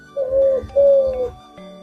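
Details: A young spotted dove, aged 4–7 months and just learning to sing, gives two low, steady coos of about half a second each, the opening 'deku' beats of its song, with a faint hum behind.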